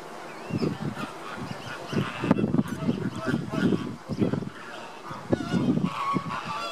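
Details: Caribbean flamingos in August 2014, a flock honking: deep goose-like honks in rapid overlapping runs, building and fading in waves of about a second, with a steady noisy background.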